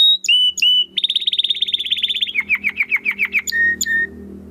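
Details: Domestic canary in full song with a crystal-clear voice: high clear whistles, then a fast buzzy trill and a run of rapid down-slurred notes, ending in two clean whistles; faint room hum beneath.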